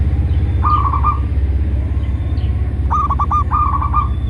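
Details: Zebra dove song used to coax captive perkutut into singing and draw in wild birds; two quick stuttering coo phrases, fluttering then holding a steady tone, over loud low-pitched droning hum.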